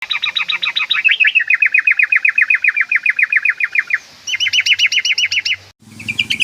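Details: Yellow-vented bulbul calling to provoke a rival into singing; a fast, even run of sharp, repeated chattering notes, nearly four per second, pausing briefly before resuming and ending in a higher burst.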